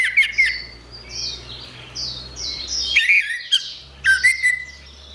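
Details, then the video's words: Orange-headed thrush song recorded for training other songbirds: quick strings of sharp whistles and scratchy notes in bursts, a louder twisting phrase at three seconds, and another burst near four seconds, over a faint low hum. "Ocehan Suara Burung Anis Merah"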